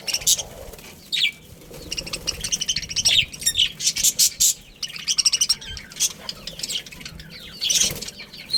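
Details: Budgerigar family chattering with thin, high, buzzy chirps and clicks in irregular runs, with a few sharp whistled notes and quieter gaps.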